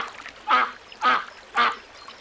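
A duck gives three harsh, nasal quacks, evenly spaced about half a second apart, over a quiet background.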